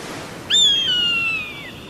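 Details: An eagle calls once with a clear, thin, high whistle. The note opens abruptly, holds nearly level, then slides gently downward for just over a second over quiet hiss.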